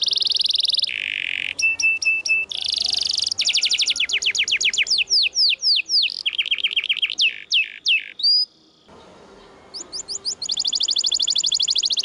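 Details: Canary song recorded as training material, a continuous high run of buzzy rolls, fast repeated chips, downward-sweeping whistles and trills, with a brief quieter gap before a final rapid rattling trill.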